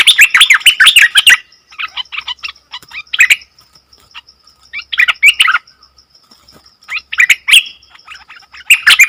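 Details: Nok dok taeng song that leaves wild birds puzzled, opening with a dense chattering burst, then short clusters of chirps about every two seconds separated by near silence and a faint steady high tone.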